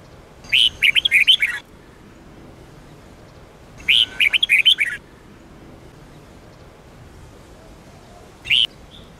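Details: Red-whiskered bulbul singing in the Sông Kôn style, used for training other bulbuls: three short bursts of bright, warbled whistled notes about every three to four seconds, the last one brief, over a quiet background.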